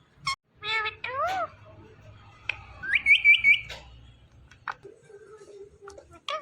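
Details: Indian ringneck parakeet talking and calling its own name, giving short wavering speech-like syllables, then a bright rapid whistled trill, a few clicks and a low hum in the background.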